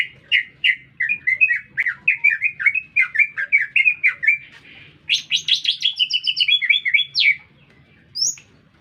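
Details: Vigorous green leafbird song in a city centre: a long run of quick chirps at a steady pitch, then a jump to higher, dense squeaky notes, and a lone high whistle after a short pause.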